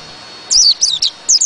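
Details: Short burst of high, thin, downward-sweeping whistles from a white-eye, three close notes then two more after a brief pause.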